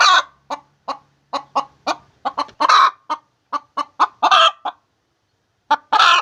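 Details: Laying hen calling in a series of sharp clucks, several per second, rising into loud raspy squawks, with a pause near the end before a final squawk.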